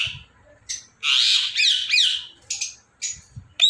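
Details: Indian ringneck parakeet indoors giving harsh, loud broadband screeches with looping shrill notes, interspersed with short high chirps.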